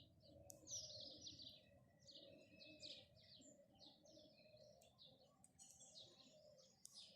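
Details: House sparrow chirping in the morning: rapid series of short bright chirps, several per second, in uneven bursts over a low steady background hum.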